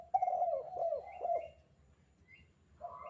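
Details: Spotted dove calling in the 'kuk 2' style, meant as a master recording for training doves; a long rolling coo with wavering notes, then silence before a new coo begins at the end.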